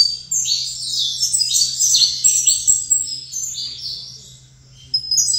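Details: Caged saffron finch singing while placed facing another saffron finch: a fast run of bright, high chirps and short sliding notes, uneven in rhythm, with a pause near the end and a faint low steady hum beneath.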